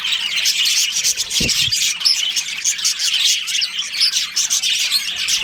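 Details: Breeding colony of budgerigars with continuous overlapping high tweets and buzzy warbles, plus one short low thud early on.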